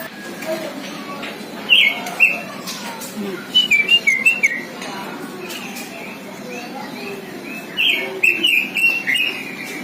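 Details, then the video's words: Songbird-mastered robin giving short bursts of sharp chirps and whistled notes, separated by quiet pauses, with faint background talk. "si Robin masteran semua burung kicau"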